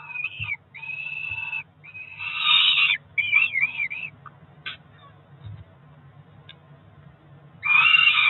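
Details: Ringed Peregrine falcon chicks, roughly four weeks old, begging around breakfast at a Cromer nest in June 2023. Long, piercing, nasal screams, some wavering, come in bursts separated by short pauses. A constant low hum runs beneath.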